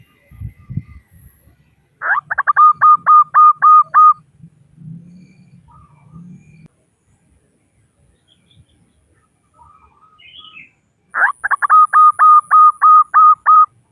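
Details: Local female zebra dove calling males: two cooing phrases, each a sharp rising opening note followed by around seven quick, even, staccato coos. Soft low murmurs fill the quiet gap between them.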